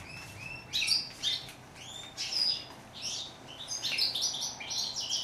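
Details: European goldfinch, called chardonneret in French, giving softer scattered chirps and rising notes that build into faster twittering toward the end, over faint background hiss.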